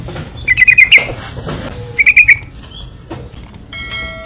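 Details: Yellow-vented bulbul lure recording for provoking other bulbuls: two short bubbly phrases of quick notes, then faint clicks and a thin steady tone near the end.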